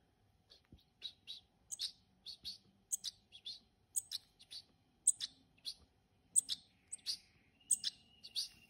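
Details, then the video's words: Hand-reared European goldfinches; high, sharp chirping notes in quick clusters, repeated irregularly throughout with brief twittering and a short thin whistle near the end. "Jilgueros criados a mano"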